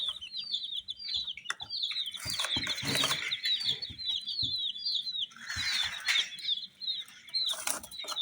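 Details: Chirping colored chicks, a group of them: rapid runs of high arched peeps, overlapping and continuous, with bursts of rustling and scratching noise.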